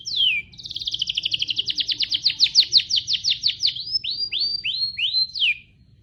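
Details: Canary-style song from a rambetuk laut: one sharp falling whistle, then a long, fast series of high sweeping notes that gradually spaces out into slower, looping slurred whistles before stopping; low murmur in the background.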